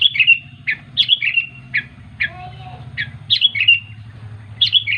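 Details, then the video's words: Sooty-headed bulbul calling to companions, giving repeated quick liquid phrases of two to three chirpy notes, roughly one phrase per second, with a faint low hum beneath. "Suara Burung Kutilang Memanggil Teman"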